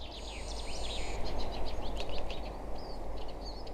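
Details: Eurasian siskin in the Abernethy pine forest, Scotland: busy, high twittering song of quick up-and-down chattering with pauses and a thin, drawn-out metallic wheeze like a squeal, distinctive of the siskin, over a low distant rumble.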